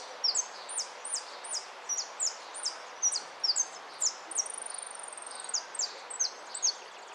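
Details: High, sharp downslurred notes from a goldfinch tumble in quick succession, interrupted midway by a sustained thin whistle with a fine buzzy texture, then resume in the same rapid pattern.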